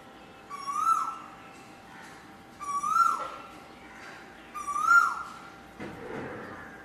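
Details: Asian koel (Eudynamys scolopaceus) song: three loud, rising, whistled notes about two seconds apart, over a faint steady hum.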